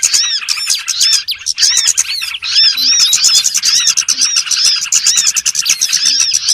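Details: Lure recording of small birds for trapping: busy flock chatter of quick, high, arched chirps and ticks, briefly thinning before becoming dense again.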